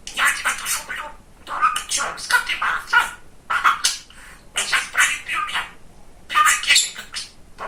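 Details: Chatty young male budgerigar, kept as a pet, talking in quick bursts of scratchy, warbled speech-like chatter, several phrases separated by short pauses, fairly close and clear indoors.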